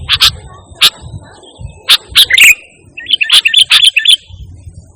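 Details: Sooty-headed bulbul in lively singing form, pure song without mimicked phrases, used as a calling and tutor sound for pet birds; sharp high chirps in scattered bursts, then a quick bubbly run of notes near the end, faint low rumble beneath.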